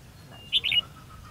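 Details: Red-whiskered bulbul recorded during a decoy fight-trap session on 13 February 2016, singing competitively: one loud, quick warbled phrase of three bright notes lasting about a third of a second, over quiet low background hum.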